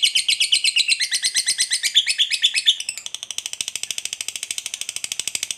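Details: Lovebird long ngekek trill played to spur other lovebirds to sing: shrill chattering pulses for about three seconds, then shifting to a faster, thinner, quieter rapid rattle to the end.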